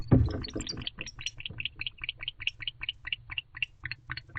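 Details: At night in an owl box during courtship season, a male barn owl calls his female to join him. After a loud thump come fainter, rapid chirruping pulses, roughly four a second, over a low hum.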